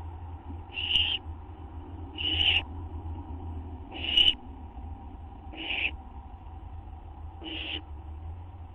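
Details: Owl at a nest on a live camera just after midnight on September 8, 2011, waiting for a food treat of a gopher or vole: harsh, hissing screeches repeated about every one and a half seconds over a steady low hum.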